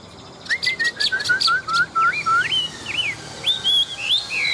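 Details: Caged hwamei, an old wild-caught fighting bird with a wild voice, singing a descending series of clear whistles, then rising and falling looped whistled phrases, over a soft background hiss.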